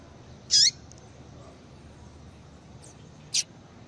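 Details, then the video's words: A female Yellow-bellied Seedeater calls to stimulate a male into breeding condition. A strong, high chip with a falling tail is followed nearly three seconds later by a shorter, sharper note, with faint calls between and soft background hiss. "fêmea de coleiro baiano chamando Muito Para Esquentar coleiro baiano"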